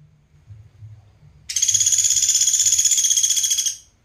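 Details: Pelatuk beras woodpecker, recorded as training material for songbirds, bursts into a loud high dry rattle of quick repeated pulses for just over two seconds, then stops abruptly.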